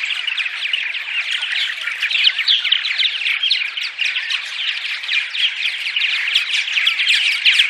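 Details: Purple martin morning chorus for attracting martins: constant rapid chattering, with many birds giving overlapping gurgled chirps and short slurred notes and no pauses.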